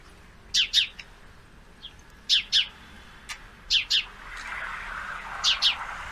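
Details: Male sparrow watching two females fight, giving high chirps in quick pairs, four double notes spread over six seconds, with a soft hiss rising near the end.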